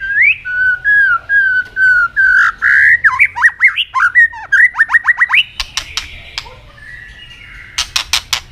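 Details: Singing Asian robin: even whistled notes that speed into a rapid series of upslurred chirps. Bursts of sharp clicking and a faint buzzy phrase follow near the end.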